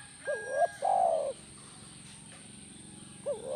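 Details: Spotted dove, or tekukur, in playback meant to prompt a caged dove to answer: one full phrase of a rising double note and a long throaty coo, then silence and the start of the next phrase.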